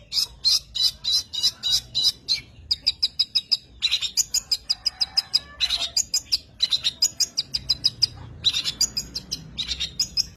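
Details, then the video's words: Long-tailed shrike delivering a lively, varied song in bursts of rapid high chirps and rattles, with brief pauses between phrases and no other clear sounds. "kicauan Pentet"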